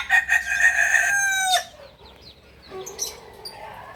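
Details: Kukuak balenggek chicken, a singing rooster from Solok, West Sumatra, crowing: a loud harmonic call held about one and a half seconds that breaks off abruptly, followed by quieter faint rustling sounds.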